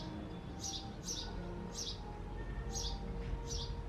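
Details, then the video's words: At a backyard nest box, a male house sparrow calls without pause, giving five sharp, high chirps at uneven intervals of about half a second to a second, with steady low background hum beneath. "House Sparrow Calling Voice"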